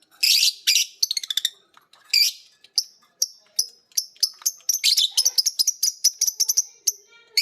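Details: Lovebirds, a green biola and a PB Piet, copying ngekek from each other: raspy opening bursts give way to a long, busy stream of high chirps and clicks accelerating into rattling trills.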